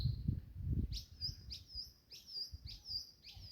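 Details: Mockingbirds in Jamaica copy the sounds of other birds and other things. Here a high phrase repeats about every half second: a quick rising sweep that levels into a thin sustained whistle. Low background rumble and a few knocks at the start.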